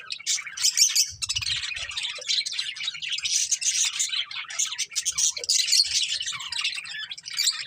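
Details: Budgerigars chattering nonstop, a busy mix of high chirps, scratchy warbles and short squeaks, with a brief low thumping sound early on.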